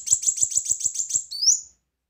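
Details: Brown-throated sunbird, a lively singer, giving a loud, high run of seven quick repeated buzzy chirps followed by one rising thin whistle, all very high-pitched and clean with no background sound.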